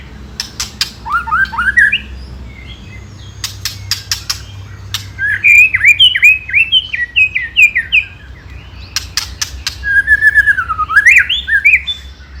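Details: Provoking song of a white-rumped shama: clusters of hard clicks alternating with rising whistled runs and quick zigzag phrases, with a low background hum throughout.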